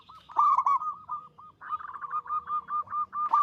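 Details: Zebra dove of the local type in full song, described as big-voiced, long and melodious: an emphatic opening coo, a short pause, then a fast string of soft bubbling coo notes ending in a strong final note.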